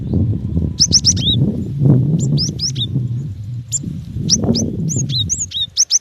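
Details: Cinereous tit, a female calling to the male: bursts of sharp, high, rising chirps, some ending in a downward hook, spread across six seconds above a loud, low, muffled rumble.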